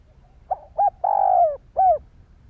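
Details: Spotted dove cooing to stimulate other doves, Vietnam: soft pickup note, short hoot, drawn-out descending coo, then a crisp final note, all mellow and low.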